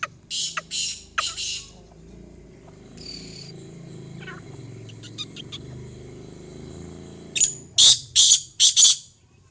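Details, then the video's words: Calls of a female black francolin, or kala teetar: three or four harsh, hissing bursts at the start, a quieter stretch with a faint buzz and soft ticks, then a renewed run of four rasping notes near the end. "Madia kala teetar female mastail female"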